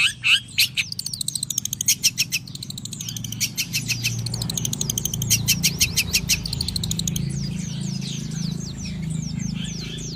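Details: Morning sunbathing long-tailed shrike opens with a rapid, accelerating series of sharp clicking notes, then a run of fast high chattering, fading into scattered thin whistled slurs over a low rumbling background.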